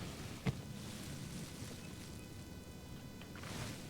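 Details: Low rumbling water and engine-like noise with one sharp knock; no animal calls are heard.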